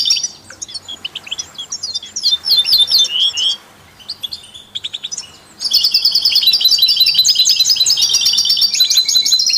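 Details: Songbird chorus with European goldfinch, canaries and mules, used to stimulate other songbirds: scattered sharp chirps and twitters, a near-silent gap, then a sustained loud stretch of fast overlapping warbles and trills.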